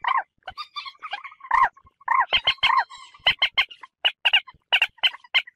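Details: Common moorhen calls played for luring birds during hunting: sharp, clipped kek notes that start scattered, with a softer sustained tone under them, then fall into a steady, fast repeated series.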